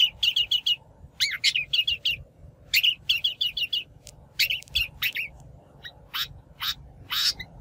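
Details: Shrike lure recording, in natural voice, made for trapping or for training wild-caught birds to sing: quick bursts of four or five sharp, high chattering notes, then several harsh, scratchy broadband notes near the end.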